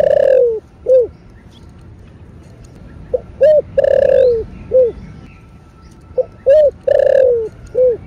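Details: Spotted dove cooing in the 'thổ bầu' voice style, calling and urging: repeated phrases of a short note, a long falling coo and a separate soft closing note, heard three times at a slow unhurried pace.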